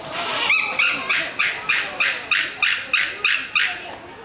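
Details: Captive White-tailed Sea Eagle at Ueno Zoological Gardens giving a rapid series of about eleven sharp, high yelping notes, evenly spaced roughly three per second, each note short and slightly falling, over faint background murmur.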